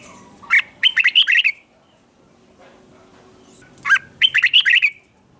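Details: Red-whiskered bulbul singing in the morning for training: two brief clusters of quick, sharp chirpy whistles with bright overtones, separated by roughly two seconds of near silence.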